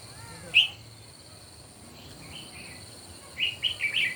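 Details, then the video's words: Morning contest singing by red-whiskered bulbuls: one sharp whistled note, a quiet gap, then a rapid chattering run of bright notes, with a steady high electrical hum behind. "Chim Chào Mào Hót Đấu Buổi Sáng"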